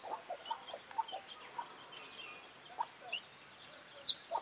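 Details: Chickens clucking: short low clucks spaced irregularly, with faint high chick peeps scattered between them over soft outdoor hiss.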